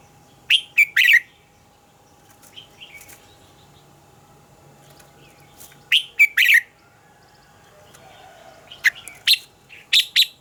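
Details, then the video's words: Morning song of a red-whiskered bulbul in the double-note mature wild style, used as a lure and training voice: three short, loud chirruping phrases of three or four quick notes, each about five seconds apart, with faint softer notes between. "Luyện giọng cho chào mào hót sáng - Hót hay nhanh lửa, chào mào hót âm kép già rừng hay tuyệt!"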